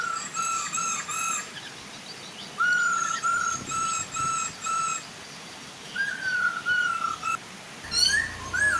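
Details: Male and female Chinese hwamei singing to coax other hwamei to join in, beside a gentle waterfall: long level whistles and series of clear repeated whistled notes, with a steady watery hiss throughout.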